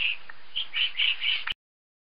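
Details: Woodpecker calling: a quick series of five short, bright, chirpy notes in about one and a half seconds, fairly high and evenly spaced, ending in an abrupt cut to silence.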